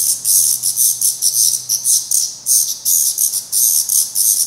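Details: Young black redstart fledglings in Portugal, still downy on the head, have tried their first flights and are still fed by their parents; they give a rapid, uneven run of very high, hissing chirps in short bursts over a faint low hum.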